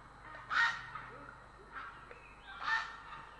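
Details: A grey heron in Estonia on 3 April 2017 gives three loud, harsh, rasping croaks, each under half a second, spaced about a second apart, over a faint background hiss.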